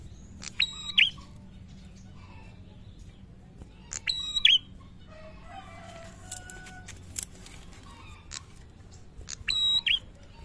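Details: Prinia singing actively: three short bursts of very high, ladder-like chirping notes with a sharp twittering end, separated by pauses of several seconds, over a low steady hum and faint scattered clicks.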